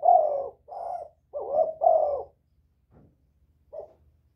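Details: Spotted dove giving a luring call: four hoarse coos in quick succession, then a pause with a faint click and one last soft coo.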